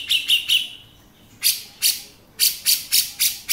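A male Grey-cheeked Bulbul gives a few high whistled notes, then harsh, scratchy chattering notes in quick bursts about three per second.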